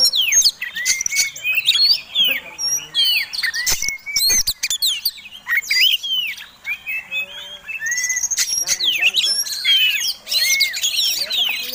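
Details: Oriental magpie-robin fighting song used as provocation, bird displaying with flared tail: loud, continuous mix of clear whistles, steep rising sweeps and harsh chattering bursts, several loud clicks near four seconds, some softer warbles lower down.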